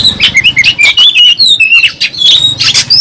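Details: Oriental magpie-robin singing loudly while fighting and spreading its tail, a fast stream of varied whistled and chattering notes sliding up and down, with constant low rumbling noise beneath.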